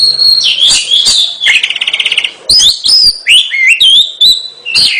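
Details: Oriental magpie-robin (kacer) delivering a varied 'gacor' song: bright whistles, a rapid buzzy trill in the middle, then quick, sharp, upward-bending notes packed closely together.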